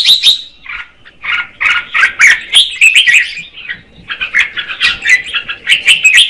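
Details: Female red-whiskered bulbul singing to stimulate the male: a loud run of warbled, chirpy phrases with quick buzzy notes, pausing briefly near the middle before the chattering resumes.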